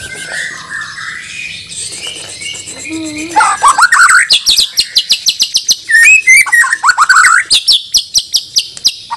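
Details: White-rumped shama of Borneo, from Banjar, groomed for a singing contest: soft sliding notes give way to a dense, rapid stream of sharp clicks and ticks mixed with loud whistled slurs, repeated at a brisk pace.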